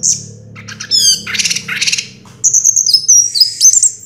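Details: Champion orange-headed thrush, first place in 2022, delivers loud, high whistles, then a rapid stuttering series of buzzy notes, ending with sharp, slurred whistled phrases.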